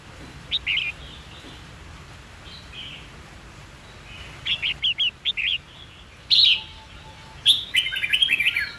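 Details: White-cheeked red-whiskered bulbul, trained for song and fighting-song contests, gives scattered short whistles, then a run of quick clipped notes, a loud bright note, and finally a fast rattling warble.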